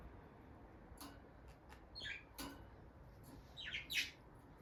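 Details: Bonded pair of peach-faced lovebirds kept as pets, near their nest box, the female going in and out; a few short, scratchy chirps in quick bursts toward the end, after scattered clicks in a quiet room.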